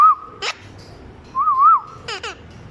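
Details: Parrot mimicking a small child: a loud wavering whistle, a harsh squawk, a longer warbling tone, then two quick raspy squawks.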